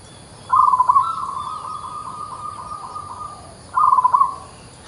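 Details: Local zebra dove singing actively: two short rolling, bubbling coo bursts about three seconds apart, separated by a steady, level tone and faint background hiss.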